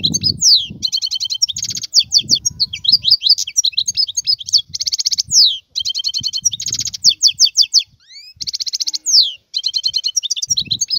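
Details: Continuous song of a wild European goldfinch: rapid twittering mixed with buzzy trilled bursts and sweeping whistles, barely pausing, over a low rumbling background.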